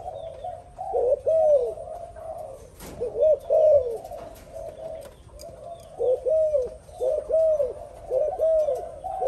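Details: Spotted dove gives repeated mellow, throaty coo phrases, low and rounded notes in clusters separated by brief pauses, with a few sharp knocking sounds nearby.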